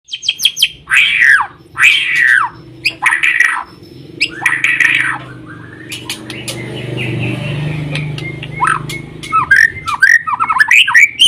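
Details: White-rumped shama singing: loud, harsh, broadband phrases repeated about once a second at first, then a quieter stretch with a low rumbling hum, then a fast run of varied sharp whistled and chirping notes.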